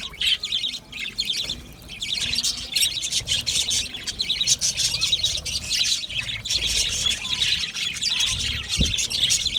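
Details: An aviary colony of budgerigars keeps up a dense, continuous high chatter of chirps and warbled notes, with a short low thump near the end.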